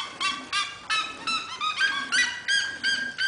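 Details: A red-legged seriema in a house's corral gives a fast series of loud, nasal yelps, about three per second, climbing slightly in pitch midway through.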